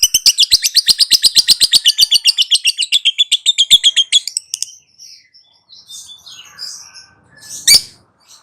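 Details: Lovebird in long chattering song: rapid buzzy notes repeated about four per second for over four seconds, fading into scattered softer chirps and one sharp click near the end.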